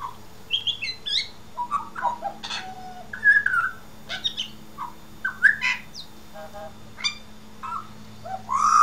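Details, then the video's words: Australian pied butcherbird song of varied fluted whistles, quick slurs and short chips, delivered in bursts roughly every half second, with a faint constant low hum in the background. "Pied Butcher Bird Comedy Routine"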